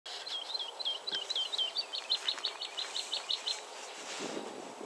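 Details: Woodlark singing: a quick run of about twenty short, fluty, high notes, each slightly slurred downward, delivered for three and a half seconds before stopping, over faint steady outdoor background noise.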